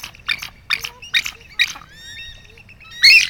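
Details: Bald eagles, over 30 of them including young birds, gathered in a backyard in Unalaska, Alaska, to eat discarded salmon heads and guts, give harsh squealing squawks about twice a second, then thin high piping whistles, ending in a loud shrill burst.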